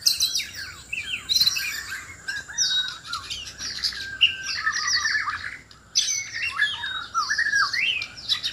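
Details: Loud singing contest of a white-rumped shama in Sabah, Borneo, seeking a mate: harsh squawky bursts mixed with fast whistled phrases, a brief pause near six seconds, then renewed energetic warbling.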